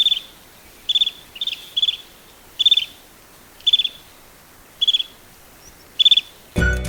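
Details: A Greater Sand Plover in Sri Lanka gives short, high, rattling trills, about eight bursts roughly a second apart, over a soft background hiss that ends in a burst of noise.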